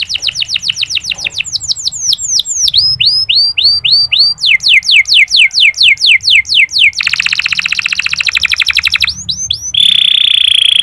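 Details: Clear, long-phrased local canary singing, played to encourage other male canaries to sing: quick falling whistles, curved rising-falling notes in rhythmic runs, a rapid buzzy rattle, then a sustained pure tone at the end.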